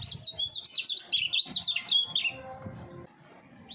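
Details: Common iora, three years old and groomed as a challenger for songbird contests, delivering a quick zigzag run of high whistled notes for about two seconds, then fading to quiet with a steady low hum behind.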